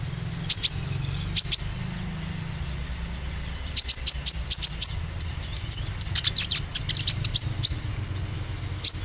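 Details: Oriental white-eye lure song to get greenish and spotted birds singing boldly: two pairs of sharp high chirps, then a dense run of rapid, piercing tweets and short trills from about four seconds on, over faint low hum.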